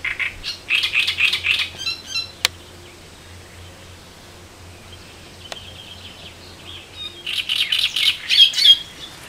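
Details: Great reed warbler on the Elbe river in Germany, singing harsh, grating repeated phrases in two bursts separated by several seconds of quiet, with faint low hum in the background.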